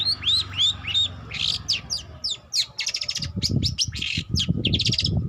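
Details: Young long-tailed shrike in song practice opens with three looping upslurred whistles, then buzzy rattles and scratchy chatter. Low thumping noises intrude during the last two seconds.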